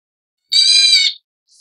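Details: A leucistic black bulbul of the Taiwan subspecies (Hypsipetes leucocephalus nigerrimus) gives a single harsh, nasal, cat-like mew lasting about two-thirds of a second, followed by a faint brief rasp; otherwise quiet.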